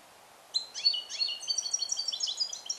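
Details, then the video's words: Captive-hatched 2021 male European goldfinch with Neapolitan passata song training, alone in a small cage. After a short silence, a dense, rapid cascade of bright twitters and high ringing notes runs without a break. "Cardellino Passata Napoletana 2021 - KH24 - European Goldfinch - Jilguero cate limpio"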